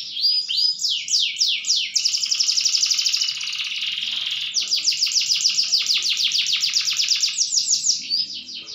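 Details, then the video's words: Canary in full, loud song in the strong 'bantingan keras' style, delivering fast repeated high trills, a buzzy rolling stretch in the middle, then more rapid descending sweeps, unbroken throughout. "kenari gacor bantingan keras"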